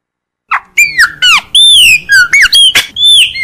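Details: Mateiro baiano style song of a Chopi blackbird. After a short silence, rich whistled phrases swoop and slide, mixing rising and falling slurs with brief clipped notes in a lively, varied sequence.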